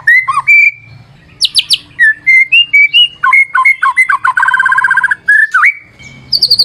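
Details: A white-rumped shama sings energetically as a lure. Its varied phrase mixes mellow rising whistles, high sharp notes and a fast buzzy rattle of repeated notes, then a long sustained whistle and high chips at the close.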